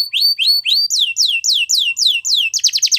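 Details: Belgian canary singing for training purposes, three rising-then-falling slurred notes, then a series of sharp descending whistles about four per second, ending in a rapid stuttering trill.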